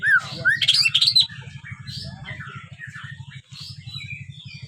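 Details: Young white-rumped shama, five months old and learning to sing, gives a loud burst of sharp whistled and squeaky notes lasting about a second, then fainter scattered chirps over a continuous low pulsing drone.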